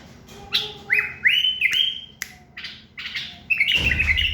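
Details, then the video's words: Common bulbul giving rich whistled notes that rise and then hold level, with a sharp click partway through and a burst of low noise near the end. "صوت بلبل تغريد يخبل"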